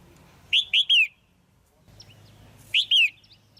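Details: Female red-whiskered bulbul calling to stimulate a male or for pairing: two bursts of three loud, sharp, downslurred chirps, the second burst after a pause of nearly two seconds, with faint low background hum.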